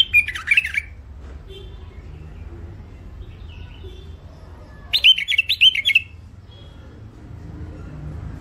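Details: Hybrid finch (mule), called thick-throated and in first isolation, delivers two bursts of quick metallic twitters and warbled trills roughly four seconds apart, with faint chirps and room hum between.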